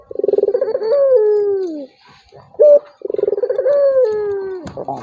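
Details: Provoking call of a turtle dove aimed at a reluctant rival: two rolling, vibrating coos, each gliding into a long falling tone, separated by a short bright note.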